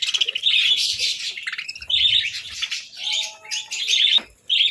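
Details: Several budgies chatter during a winter breakfast of boiled eggs and bread, giving bursts of bright warbling chirps with short pauses between, plus a brief low thud.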